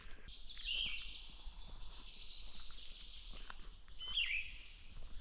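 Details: Yellow-throated vireo singing from treetops in a roadside forested swamp on a southern Ontario farm, sunny calm spring morning, 12 May during peak migration, giving two short, burry phrases about three seconds apart over steady insect hiss and low road rumble.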